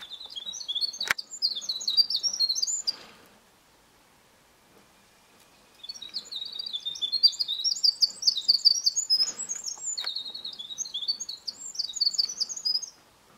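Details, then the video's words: Winter wren singing in spring in forest: long high tinkling songs of rapid bubbling trills and twittered notes, two bursts of about three and seven seconds separated by a quiet pause. "Winter Wren singing in Spring"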